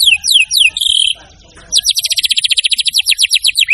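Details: White-rumped shama in cage training song: several loud downward-sweeping whistles, a short buzzy phrase, a quiet gap, then a long rapid series of sharp repeated notes rising slightly in pitch toward the end.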